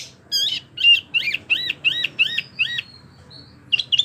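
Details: Wambi bird singing, meant for training oriental magpie-robins and others: six or seven evenly spaced arched whistles, then a thin drawn-out note and a closing burst of chirps.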